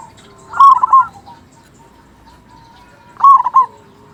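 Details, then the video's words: Local zebra dove with a big voice, a lure to make other zebra doves sing quickly: two short bubbling coo phrases about two and a half seconds apart, with faint sustained tones between. "Perkutut Lokal Gacor Suara Besar Pancingan Burung Perkutut Agar Cepat Bunyi."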